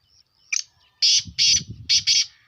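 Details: Black francolin calling: a short harsh note, then four loud, rasping, buzzy notes in two close pairs, each under a quarter second, delivered quickly in a grating rhythm.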